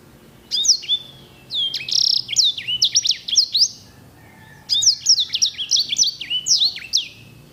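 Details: Sanger bird, edel or herda type, prized for its rich rolled song, giving two long bursts of quick high slurred notes and rolls, separated by a brief pause.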